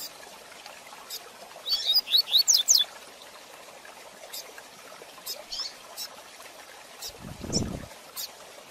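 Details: Rusty-collared seedeater in fast Tui Tui Zel Zel de Fibra song for training young birds: an early quick burst of high rising whistles, then soft scattered clicks and a low dull thump near the end.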